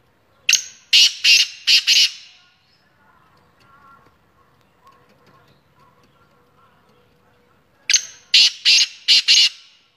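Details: Black francolin (kala teetar) calling: a harsh, grating burst of four to five rapid notes, repeated after a quiet pause of about six seconds, with a faint low hum between.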